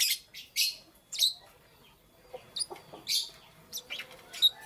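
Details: Scattered shrill chirps from lovebirds in the morning, clipped high notes in loose groups separated by short quiet gaps, with a few faint softer twitters.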